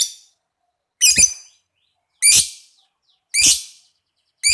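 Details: Lovebird sound played to stimulate other lovebirds: loud, harsh squeaky bursts, each about half a second, spaced a little over a second apart with silence between.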